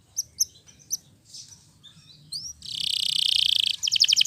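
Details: Canary song meant to get silent or lazy canaries singing again: a few sharp isolated chips, a short slurred whistle, then a dense buzzy roll and a fast run of repeated notes.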